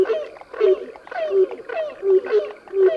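Grey crowned cranes give soft, nasal, slightly falling notes, repeated about twice a second in a steady back-and-forth series.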